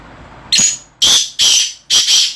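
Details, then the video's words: Caged black francolin (kala titar) giving four loud, harsh, grating notes in about two seconds, the first short and the later ones longer, with quiet pauses between them. "black francolin (kala titar)"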